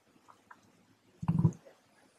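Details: Emu (Dromaius novaehollandiae) in Western Australia gives a single deep, low rumbling grunt lasting about a quarter second, with soft faint background noise.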